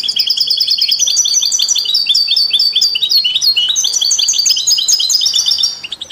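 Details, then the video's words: Goldfinch song with canaries and mules, used to stimulate other songbirds: six seconds of unbroken, rapid, high twittering, with tinkling trills and repeated chirped notes that stay loud until a brief fade at the close. "Stieglitz Kanarienvögel und Maultiere stimulieren alle Singvögel"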